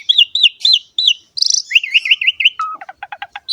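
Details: Asian pied starling in full song for training and luring starlings; four looping whistled notes, a harsh burst, a fast string of wavy whistles, then a dry clicking rattle.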